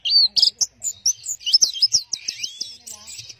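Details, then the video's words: Orange-headed thrush pouring out a fast jumble of high twittering and slurred whistled notes in a short, dense burst. "Burung Anis Merah Teler"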